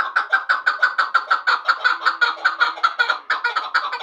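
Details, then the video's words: Chukar partridge of Vanj calling a rapid series of gruff chuk notes, roughly three a second, rasping and even in loudness throughout, with a faint steady hum in the background midway. "Кабки Ванч"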